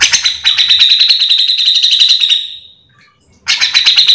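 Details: Singing cucak jenggot, the bearded bulbul, used to tutor and provoke others of its kind: a dense buzzy trill rising slightly then fading out over two seconds, a short silence, and a second rapid trill.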